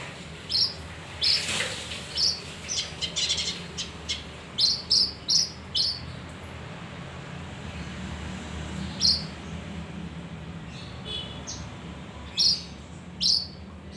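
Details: Male kinoi (leafbird) singing as bait to draw other birds, with crisp high chirps, a dense run of rapid notes in the middle, then sparse single chirps with pauses between them.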